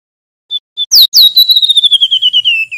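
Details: Male mangrove whistler singing loudly: two short soft whistles, then a long whistled phrase of rapid pulsed notes gliding slowly downward, clear and ringing, no other sounds.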